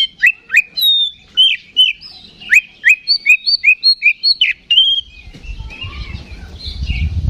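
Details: Oriental magpie-robin singing to spark fighting in rival magpie-robins, a steady series of short downslurred whistled notes about two per second, then fading into low rumbling noise.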